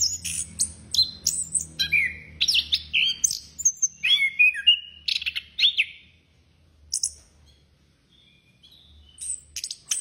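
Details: Energetic outpouring from an Orange-headed thrush: a dense run of high chirps, buzzy notes and swooping whistles for several seconds, then a quieter gap broken by a few scattered thin high notes near the end.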